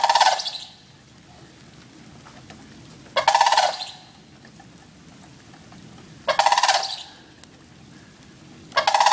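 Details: Local sandhill cranes strolling through a front yard in the rain, very noisy at close range: loud rolling, rattling bugles about every three seconds, each burst lasting under a second, quiet pauses between.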